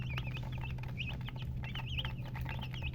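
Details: Chicken chicks, described as colour chickens, giving bursts of high, wavering peeps from a few birds in quick succession, with a loud steady low hum and faint clicking underneath.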